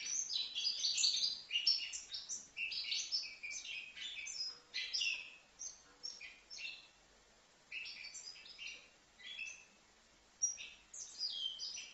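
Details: Young European goldfinch, five months old, from Livno, singing a fast, jumbled run of bright twittering and chirping notes in bursts separated by short pauses.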